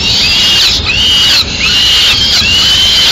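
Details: Peregrine falcon feeding scene in Madrid, male with a swift for the chicks: quick series of harsh, arching whine notes, several per second-and-a-half, loud over background hiss.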